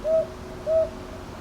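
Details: One pair of soft, level hoots from a northern boobook, recorded 22 May 2023 in Ichijoji, Sakyo Ward, Kyoto, on a TASCAM DR-100MKIII; the two notes fall about half a second apart, with faint low background hum.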